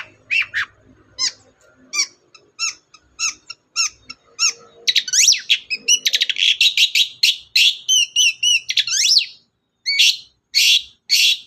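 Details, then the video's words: Long-tailed shrike in full chatty song, intended to provoke silent birds into singing: quick scratchy notes that build into a dense run of varied chirps, squeaky sweeps and buzzy bursts. "BURUNG CENDET GACOR DOR, pancingan ampuh cendet gak mau bunyi"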